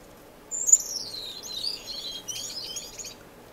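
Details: A finch singing in an indoor, non-breeding community aviary in Edmonton, Canada, in March. It opens with a high whistled note that glides downward into rapid, scratchy twittering phrases lasting about three seconds.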